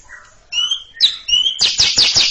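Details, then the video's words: Greater green leafbird (cucak ijo) singing in front of a younger bird: a few scattered clear whistled notes, then a fast burst of high, harsh descending chatter notes in quick succession. "Cucak Ijo ngekek panjang siap ngeroll didepan junior macet"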